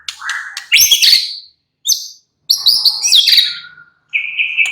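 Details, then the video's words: White-rumped shama (murai batu), described as bursting into a rapid, full-voiced nyrecet chatter within three minutes. Here it gives loud, high, scratchy bursts separated by short pauses, then a steady clear whistle at the end. "belum 3 MENIT, murai batu sudah ikut NYRECET GACOR dengan kicau Santai Murai batu ini"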